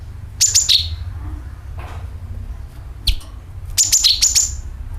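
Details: Sooty-headed bulbul calls and drawn-out nyeret notes, used as a lure to attract birds: short bursts of sharp, high chirps sliding down into a slurred lower note, two bursts separated by a pause and a single chirp, over a low steady hum.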